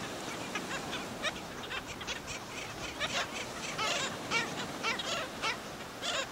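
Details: Black skimmers attacking and killing a chick at St. Pete Beach, Florida: a busy chorus of short, nasal, barking yelps from several birds, overlapping irregularly above a steady hiss of beach noise.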